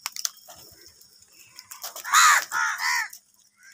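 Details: Crows fighting for food: faint clicks and scuffling, then two or three loud, rasping caws in the middle, fading to quiet at the end.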